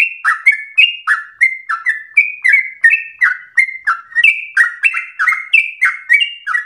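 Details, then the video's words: Sooty-headed bulbul in rapid, spirited song, used as a prompt and training model. Continuous flow of clipped whistles, each high note dropping into a slurred lower one, repeated evenly and quickly. "Trucukan gacor ropel ngotot narung emosi"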